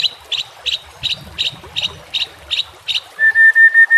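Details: Shama song in a training recording: a rapid series of about ten identical short notes, then a pure steady whistle repeated in short pulses, over low rustling background.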